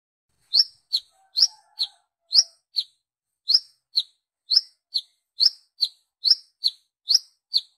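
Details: Brown-throated sunbird giving a lure call to draw other sunbirds: bright high chirps in quick up-down pairs, a short pause after the first few, then a steady run of paired notes.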